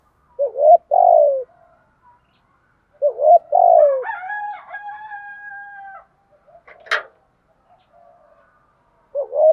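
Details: Spotted dove decoy cooing to lure wild doves: low two-part coo phrases at the start and near the end, with a steady drawn-out crowing call from a rooster and a sharp click in between.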